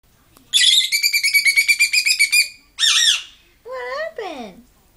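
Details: Very upset pet lovebird, angry at an object, gives a rapid chattering series of harsh notes, then a loud squawk, followed by lower wavering whining sounds.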